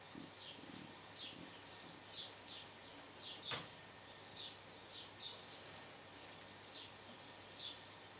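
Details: Blue tit and great tit giving thin, high calls as short, sharp notes, repeated irregularly about every half second to a second over steady background hiss.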